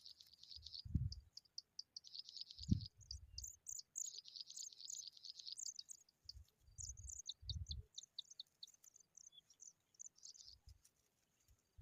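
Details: Pipit tending its young: dense bursts of thin, high chirping notes, rapid and uneven, alternating with sparser high tweets, with occasional low dull thumps beneath.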